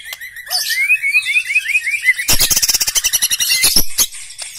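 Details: A black-legged white-rumped shama sings a rising series of quick trilled whistles. The song then bursts into a dense, buzzy, rapidly repeated rattle of harsh notes.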